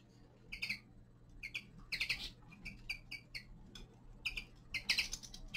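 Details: Young male common linnet in winter giving short twittering song phrases: clusters of bright chirped notes, some with a slurred downward inflection, repeated in bursts about every half second, over a steady low hum.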